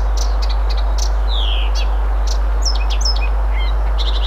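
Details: A Blyth's reed warbler sings a varied run of high chirps, slurred whistles and clicking notes in Moscow, Russia, on June 1, 2021.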